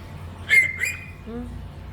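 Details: {'text': 'Indoor pet African grey talking parrot gives a sharp, short squawk-like whistle, then a second fainter one, followed by a low brief hummed note; a person speaks nearby.'}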